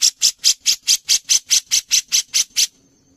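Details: Grey-cheeked bulbul, known locally as cucak jenggot, singing for contest-bird training. A tight run of twelve rasping, clipped notes at a brisk even pace ends abruptly, leaving only a faint high whine.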